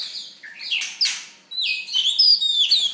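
A magpie-robin sings a rich, varied run of clear whistles and sliding notes, high-pitched and quick-changing, with short chattery phrases in between.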